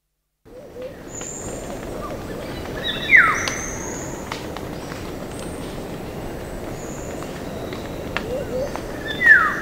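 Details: Black-naped oriole giving two short, musical falling whistles about six seconds apart, set against steady background hiss and the scattered plink of dripping water.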